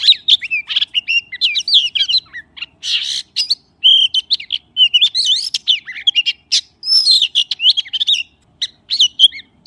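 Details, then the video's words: Magpie giving a continuous stream of varied whistles, with rising and falling slurs mixed with sharp, harsh chips and short buzzy notes, almost without pause. "សំលេងសត្វល្វាចេកច្បាស់ល្អណាស់ (30នាទី) / Good sound of magpie (30 minutes)"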